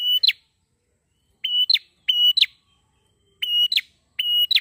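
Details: Active prinia singing, used as a lure for training birds: five rapid buzzy phrases, each a flat rattling note and a sharp chirp, some given in quick pairs, with clean silence between them.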